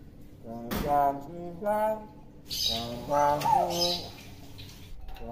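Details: Tame common hill myna in Indonesia imitating human speech, giving four speech-like phrases with harmonic voice layers, short pauses between them and a faint sharp chirp near the end; quiet room background.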